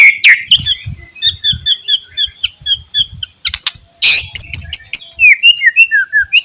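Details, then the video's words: White-rumped shama song aimed at stirring rivals: a loud harsh burst, a measured string of short high notes, another harsh burst, then descending clear whistles, with soft knocking sounds underneath. "SUARA BURUNG MURAI BATU, PANCINGAN MURAI BATU PASTOL NGOTOT MEMBANGKITKAN EMOSI LAWAN"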